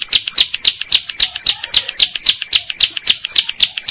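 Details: Bar-winged prinia female in breeding condition calling to other females; loud, evenly spaced high chipping notes, about fifteen in steady rhythm, each a sharp, slightly buzzy tick, with no pause.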